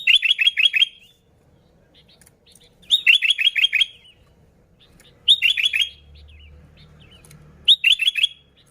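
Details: Sooty-headed bulbul singing as a lure for other bulbuls, four quick bursts of rapidly repeated, bright, bubbling notes separated by gaps of about two seconds, with a faint low hum.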